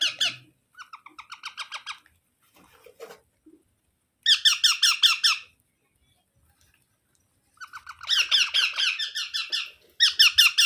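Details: Baby parrot calling in bursts of rapid, grating, harmonic squawks, each burst a few seconds long with silent gaps, the last bursts loudest and most insistent; quiet indoor setting.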